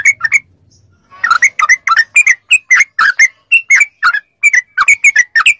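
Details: Training recording of yellow-vented bulbul song to prompt captive birds to respond: lively whistled and chirped notes, some rising, repeated briskly about three or four per second.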